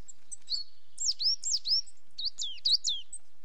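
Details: Coal tit calling with thin, high, down-slurred notes in short clusters, some twittery and uneven, over a clean quiet background.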